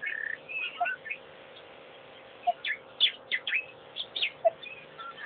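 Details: African pied wagtail at Pete's Pond, recorded by a wildlife camera, gives a run of bright, chirpy notes and short whistled slurs in quick, uneven bursts over a faint steady hum.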